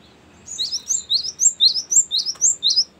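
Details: Cinereous tit in long rolling 'ngerol' song, used to lure wild birds and to tutor captive ones: high, sharp two-part whistled notes repeated about twice a second in a steady series after a brief quiet start.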